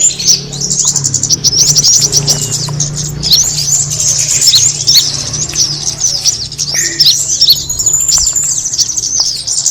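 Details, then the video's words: Kemade bird lure sound: a dense stream of thin, very high chirps and short twittering phrases, rising and falling, over a low steady hum. "the sound of the kemade bird attracting noise"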